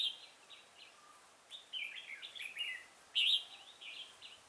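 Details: Red-whiskered bulbul, trapped with a decoy bird at Chùa Hương on 5 March 2018: lively, rollicking whistled phrases with a very loud, sharp burst near the end, over faint background hiss.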